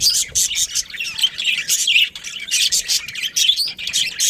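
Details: Budgerigars, an Australian parrot kept as a pet breeding pair with their family, chatter in rapid overlapping high chirps and warbles, with squeaky notes bursting every fraction of a second without pause.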